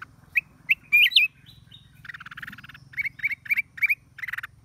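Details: Black-crested bulbul in the wild at Chaiya, late December 2023, giving a few sharp whistled upslurs and a twisting loud phrase, then a run of short repeated chirps, with a steady low hum behind.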